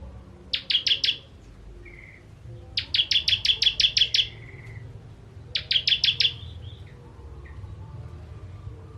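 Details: Ciblek (bar-winged prinia) with crystal 'tembakan pedas' shots for training songbirds: three short bursts of rapid high ticking notes, of about four, eight and four notes, each followed by a faint lower trailing note.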